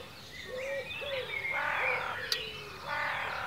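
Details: Birds singing in ancient woodland in Cornwall, UK: clear whistled notes, some low and some higher, over about three seconds, joined by louder harsh, broad calls near the end.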